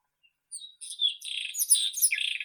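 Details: White-throated robin song phrase: a soft introductory whistle followed by a quick, energetic jumble of squeaky, trilled and warbling high notes.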